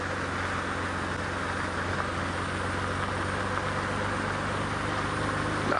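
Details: Continuous engine drone from a stationary vehicle during an evening safari drive, broadband and even, without any animal sound.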